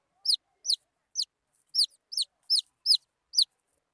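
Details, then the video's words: Baby wild chickens calling with sharp, high peeps that slide downward, spaced unevenly with short pauses between notes. "Suab mis nyuam qaib qus 100%"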